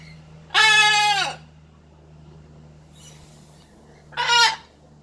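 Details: Blue-and-gold macaw at play lets out two loud, raucous squawks, a long one followed after a pause by a shorter one, against a quiet room with a steady low hum.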